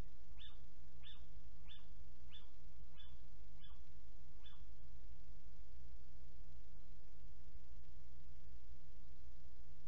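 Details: Little owl at a nest box, calling about six minutes after leaving it, 29 January 2019: seven sharp, high, downward-slurred calls in quick succession, about one every half second, over a steady low hum.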